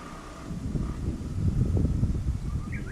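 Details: Japanese bush warbler at Susan-ri on 18 July 2020, possibly a variant song: a steady whistled tone, a brief repeat of it, then a quick rising flourish at the end, partly masked by loud rustling and wind.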